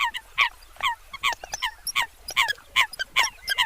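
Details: Short, sharp, squeaky yelps from Eurasian coots come in quick succession, roughly two or three each second, the notes overlapping as several birds call at once.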